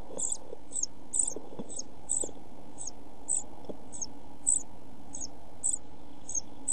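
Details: Hungry European pied flycatcher chicks inside a nest box in June heat with little food; a steady run of a dozen high, thin cheeps spaced about half a second apart, with faint low rustles beneath.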